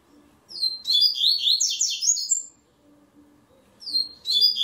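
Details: Steel-breasted double-collared seedeater in an online singing contest delivers a rapid, warbling high phrase of about two seconds, then a pause and the start of another phrase.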